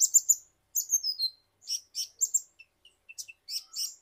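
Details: Kolibri ninja (ninja hummingbird) from Indonesia, used as a lure to prompt other birds to sing: thin, very high chirps and short twittering bursts in clusters, with a descending whistled slur near one second and pauses between phrases.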